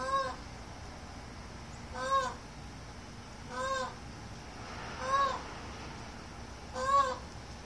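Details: Peacock, an Indian peafowl, calling five times in a regular series, about every one and a half seconds; each call is a brief, loud, arched honk rich in overtones, with faint hiss between calls.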